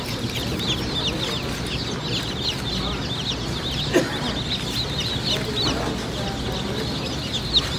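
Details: Crowd of Black Sex Link chicks at a hatchery peeping nonstop, countless short high-pitched descending cheeps layered over constant low mechanical drone, with a brief thump near the middle.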